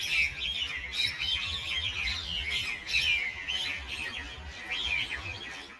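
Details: A gang of common mynas fighting at Ewa Beach squabble in a dense, unbroken tangle of harsh, grating chatter and squawks, with a faint low rumble underneath; the clip may be slowed.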